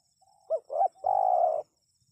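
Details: Spotted dove calling to draw a response from wild birds. A soft lead-in note, two quick arched hoots and one long, steady, burry coo held for over half a second, all low in pitch.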